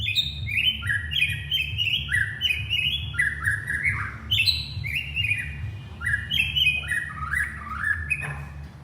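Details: Calling to its partner, a white-rumped shama pours out fluent whistled phrases, notes stepping up and down in quick succession with clicky high overtones, over a steady low hum.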